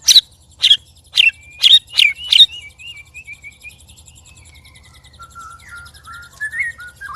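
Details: White-rumped shama, one of three caged birds set to spar, giving strange loud sounds: six sharp explosive notes, then a long wavering whistled warble falling in pitch, ending with soft low whistles.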